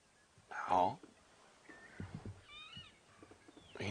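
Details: Golden-tailed woodpecker on a morning safari drive, 7 November 2016, giving a single loud, nasal, wavering squeal, almost a meow, called a very unattractive call; softer bird whistles and a man's voice follow.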